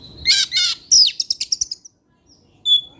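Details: Oriental magpie-robin, a caged bird singing in the evening: two buzzy harsh notes, then a clear downslurred whistle and a quick series of about eight short high chips, a pause, and one long pure whistle.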